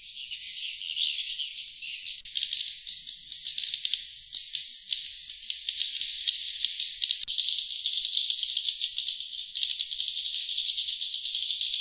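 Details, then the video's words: Swiftlet call for luring wild birds: a long stretch of shrill, dense chattering with scratchy clicks and occasional thin whistled notes, changing abruptly in tone at about two and seven seconds. "Suara Panggil Sriti Luar"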